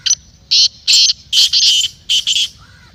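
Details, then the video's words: Black francolin, or kala teetar, giving a rapid run of harsh, rasping, strongly accented notes in short clusters, with a faint whistled note from another bird at the close. "Kala Teetar masti aur chakri k liye behtareen awaz/Black Teetar Voice"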